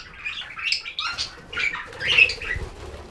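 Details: Pet budgerigars chirping: a busy stream of short, overlapping twittering and warbling notes, some squeaky and rising, with brief soft rustles and faint wing flutter between bursts.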